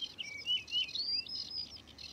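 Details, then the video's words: Singing male Yellow-breasted Bunting: short clear whistled notes, some sliding up and others dropping, run together in a quick bright phrase against a quiet background. "ПОЮЩИЙ САМЕЦ ДУБРОВНИКА"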